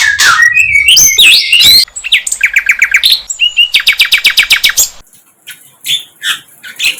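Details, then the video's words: Sikatan londo flycatcher singing wild. A tangled, energetic opening gives way to a steady rhythmic series of sharp repeated notes, then softer scattered chirps as the song fades. "Sikatan LONDO"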